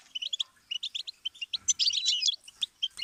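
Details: Goldfinch song as a learning stimulus: spaced bright chirps in pairs and short groups, then after a second and a half a denser, scratchier, buzzing flourish before a few final scattered notes.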